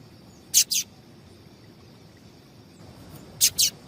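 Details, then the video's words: Female double-collared seedeater giving calls meant to stir males into song: two quick pairs of sharp, high, buzzy chip notes, the first pair near the start and the second about three seconds later, over a faint steady hiss. "Piado de Fêmea de Papa capim é Seu Papa capim Vai Ficar Cantando"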